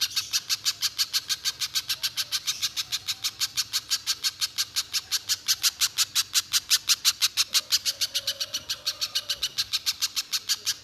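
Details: Banana spiderhunter in unbroken song used as a provocation lure; sharp, grating chips delivered rapidly and evenly, roughly three per second, with soft low background hum.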